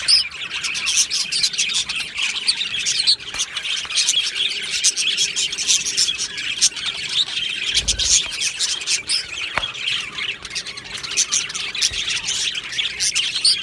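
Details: A colony of Australian budgies in an aviary, 22 June 2025, keeps up a steady, busy chorus of high twittering and warbled chirps. Single sharp clicks and a brief low thump break in.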